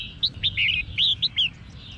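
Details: Female red-whiskered bulbul singing to rouse males: a fast, lively series of bright, slurred whistles and twisting notes over a steady background hiss and low hum.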